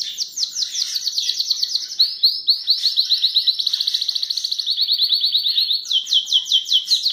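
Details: Belgian canary of the Charles II line singing: long fast trills of repeated high notes, each run shifting pitch, sliding into buzzy rolling series and ending in quick descending strokes, loud and continuous with no other sounds.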